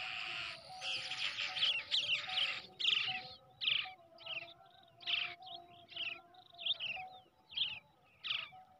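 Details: Young brown shrike raised by hand from an egg: a dense run of raspy, noisy calls at first, then separate harsh bursts about every second, with a quiet background hum.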